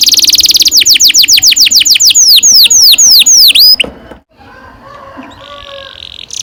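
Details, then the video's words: Canary singing a long rolling song, used as a lure to train young birds: a loud rapid series of clear downward-sweeping whistles, about three or four per second and slowing slightly, that stops abruptly and leaves faint hum and soft chirps. "Kenari gacor NGEROL PANJANG"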